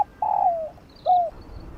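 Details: Spotted dove cooing in the 'giọng đồng' field style, used to excite decoy birds: a long coo sliding downward, then one shorter falling coo, with a faint high chirp behind.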